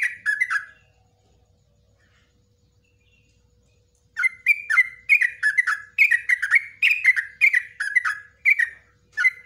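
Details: Yellow-vented bulbul, long ropelan song in nguklik ngecruk style for masteran of cage birds: one brief bubbly phrase, about three seconds of quiet, then a steady stream of repeated chattering phrases.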